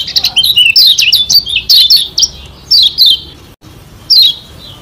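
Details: Lombok white-eye, a kecial kuning contest bird, delivering song used to provoke rivals: dense bursts of high chirping notes in quick runs, pausing briefly, then a final sharp descending call.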